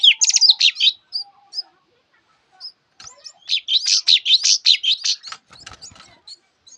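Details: [4, 'Java sparrow in song: a dense opening flurry of high chirps and scattered single notes. A longer stretch of rapid, slightly harsh twittering follows, fading into soft clicks.']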